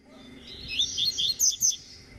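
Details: Eight-month-old double-collared seedeater singing in tui tui (vibro) style: a brief run of sharp, high whistled notes, several short chirps closely spaced and climbing toward the end over a quiet background.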